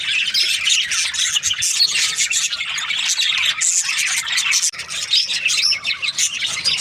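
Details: Breeding-season budgerigars, a noisy group chattering: continuous high twittering and squeaky calls, with a short gap partway through before the chorus continues.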